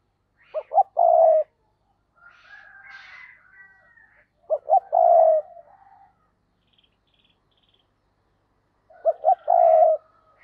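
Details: Spotted dove kept as a decoy to attract other doves coos three times, about four seconds apart. Each phrase has sharp quick lead notes and then a long, buzzing low coo, with faint chirps in the pauses.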